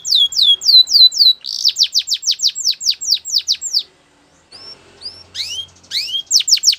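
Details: Belgian canary song with sweeping whistled notes, then a long series of quick descending slurs, a brief silence, and a few separate rising and falling whistles resuming at the end.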